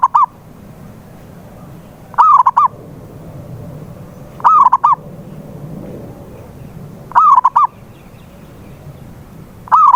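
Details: Local zebra dove call used as a lure to prompt a silent dove to sing: short bubbly phrases of three or four quick rolling coos, repeated roughly every two and a half seconds over a low steady background rumble.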